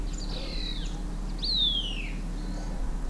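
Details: Green-backed tit foraging for insects in shrubs and on the ground: two clear, high, slurred whistles, each sliding steadily downward, the second longer and louder, over a low steady hum.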